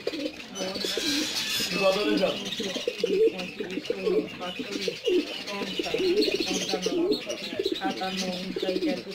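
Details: Caged black Shiraji pigeons in a home loft, a steady overlapping chorus of low rolling coos from several birds, with occasional higher chirps and a little background talk.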